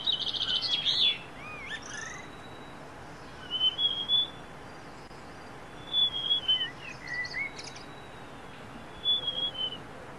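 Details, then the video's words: Wild niltava singing at first light of dawn in forest: short, thin, high whistled phrases, some sliding downward, given every two to three seconds over quiet background hiss, with a brief burst of chirping from another bird at the start. "Wild Niltava Serenade: Nature's Morning Symphony"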